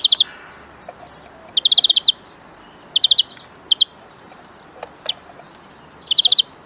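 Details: European greenfinch in a huylandırma session: bursts of rapid ringing trills alternate with pauses of a second or more. There are a few isolated soft ticks in between.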